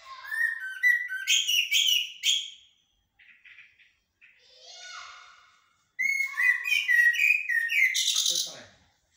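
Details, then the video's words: Jahmoumia, the common blackbird, in blacksmith and military song styles: two loud bursts of rapid fluty whistling separated by a quiet pause with soft rasping notes. "طائر الجحمومية أو الشحرور بتغاريد حدادية و عسكرية"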